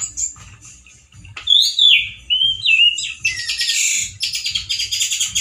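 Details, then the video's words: Male orange-headed thrush in full, loud song, harsh like a wild bird's, with limited variety: a rising whistle, then slurred whistled notes stepping down, ending in a dense harsh chattering burst with rapid ticking. "ANIS MERAH GACOR SUARA KERAS DAN KASAR SEPERTI DI ALAM LIAR-ANIS MERAH JANTAN GACOR TELER"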